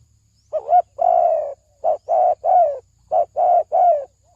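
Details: Spotted dove call used to lure birds into traps: short hoots alternate with longer slurred coos, almost one a second. A faint low hum sits underneath.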